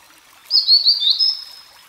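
A grey-headed canary-flycatcher gives a high, thin, twittering phrase of quick sweet notes lasting about a second, over quiet background.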